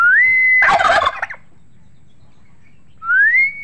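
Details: Turkeys: a rising whistled note runs straight into a burst of rapid, throaty gobbling, then a pause before another rising whistle.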